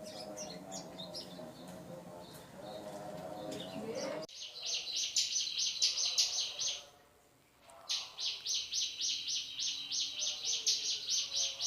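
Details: Male Hill Prinia delivering its rapid 'tembakan' shooting song: high, buzzy notes pulsed about twice a second in two long bursts, with a brief pause between them. A softer, lower jumble of sounds comes before.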